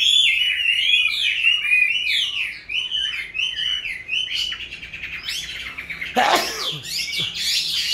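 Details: Caged Chinese hwamei from a group kept since young, now in their fifth year. The bird delivers rapid, repeated whistled phrases and chirps, and a burst of harsh rustling noise breaks in near the end.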